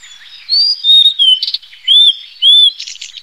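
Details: Blue-and-white flycatcher (Cyanoptila cyanomelana) singing clear, high whistled phrases, some slurred and arched, with brief buzzy notes between them.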